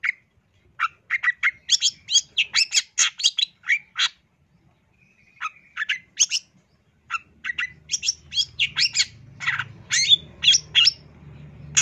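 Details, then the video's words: Cendet, the long-tailed shrike, singing a full-isian masteran from 2023: rapid bursts of scratchy, chattering notes in quick runs, a short pause near four seconds, then denser high chatter over a low background hum. "Kicau Suara Cendet No #1❗Masteran Cendet FULL Isian"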